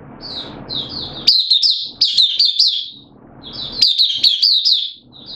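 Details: Kept oriental white-eye singing openly, recorded 8 September 2022 with form slightly down: quiet high twitters rising into loud, fast series of piercing downslurred chirps, repeated in two phrases with low room noise between.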